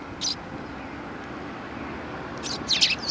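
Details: Sparrows welcoming visitors at a Tenmangu shrine, 18 September 2020: one short high chirp, a pause, then a rapid run of three or four sharp chirps over a low background hum.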